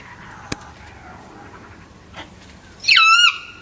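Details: An unhappy Sulphur-crested Cockatoo that regularly visits a bird feeder lets out one short grating screech after a quiet stretch broken by a single sharp click.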